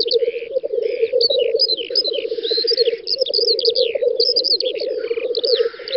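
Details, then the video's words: Black grouse at a spring lek, Western Russia, 9–10 May 2019: pulsing, cooing bubbling runs without pause while hisses and a chorus of other birds' bright chirps and trills overlie it. "Тетерев-косач токует"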